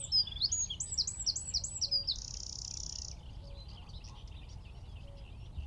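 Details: Wren perched in a tree at Wicken Fen, some 15 m away, recorded via phone, telescope and shotgun mic; bright rapid notes repeated several times per second end in a steady buzzing trill, followed by quiet background with faint distant calls.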